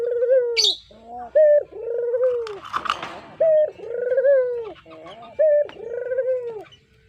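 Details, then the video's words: Brown puter dove, a pet cage bird, coos as a lure call. Rhythmic bursts pair a clipped opening note with a long mellow descending croon, about every two seconds. A brief rustling noise intrudes in the middle. "Suara Merdu Burung Puter Coklat, Cocok Buat Pancingan"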